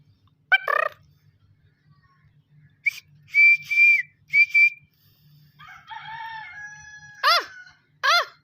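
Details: Young black francolin of a good breed, calling for the first time. A harsh grating burst, then steady whistles and a wavering tonal note, ending with two rasping downward-bending calls about a second apart, with low hum behind.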